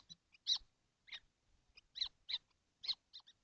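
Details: Kestrels, all seven in their nest box on a hot 12 June 2025; a busy series of about ten shrill, rasping calls, several overlapping, with faint low bumps.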